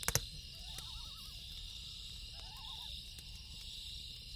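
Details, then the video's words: Loon calling at night beside a crackling campfire: two short wavering, quavering tremolo calls, each about half a second, with fire pops and crackles and a steady high insect hum throughout. "Campfire Sound & Loon Call"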